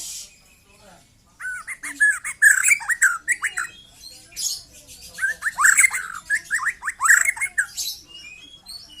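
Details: Young white-rumped shama singing: bursts of loud, rich whistled and chattering phrases with sharp slurred notes and harsher buzzy elements, delivered in clusters separated by brief pauses.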